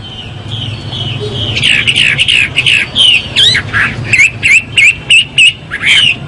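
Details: A Chinese hwamei (Garrulax canorus) sings a loud, rich run of varied whistled phrases, rising and falling notes repeated about three times a second, over a low background hum.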